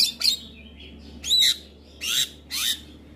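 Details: Black-winged myna morning training recording: four loud harsh screechy bursts, each with a downslurred whistle, spaced about half a second apart, over a faint low hum.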